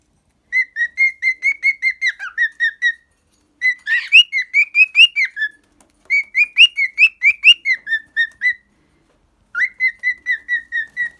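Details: A pet cockatiel sings steady whistled notes in four phrases. The pitch wavers up and down and the notes repeat a little over twice per second, with brief silences between phrases.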